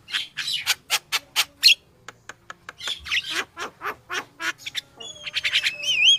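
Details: Lively Yellow-vented Bulbul song meant to lure other birds, a fast stream of harsh, buzzy chattering bursts, then a rising, wavering whistled trill at the end.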